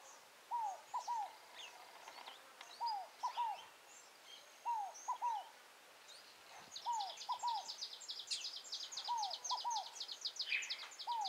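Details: Scaled Dove (rolinha fogo-apagou) in the wild at Tupi Paulista, São Paulo, repeating its soft three-note descending coo phrase five times at steady intervals; another bird adds a rapid high trill during the second half.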